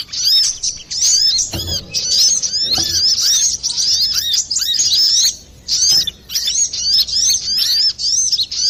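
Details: Clear-voiced, actively singing brown-throated sunbird, recorded for luring or bird therapy: long stream of piercing high twitters and slurred chirps in tight bursts with short gaps, plus two soft low thumps early on.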